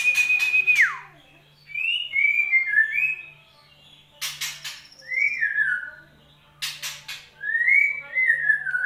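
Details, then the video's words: Lure song of a white-rumped shama meant to start a bird that has stopped singing: a long level whistle dropping sharply, then warbled, slurred whistled phrases, separated by bursts of harsh clicking chacks. "pancingan burung murai batu macet bunyi"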